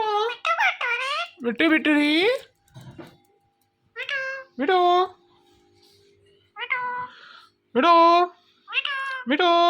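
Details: Indoor pet rose-ringed parakeet chattering at a phone: a rapid string of meow imitations and speech-like syllables in bursts, pitch sliding up and down, with quiet music beneath.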